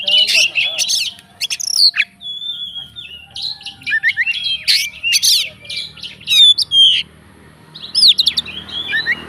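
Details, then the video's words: Oriental magpie-robin of fighting type in full song to provoke rivals, pouring out sharp whistled slurs, harsh buzzy bursts and scratchy notes, pausing briefly near the end. "BUNYI BURUNG KACER FIGTER, FULL ISIAN KACER LAIN LANGSUNG ON"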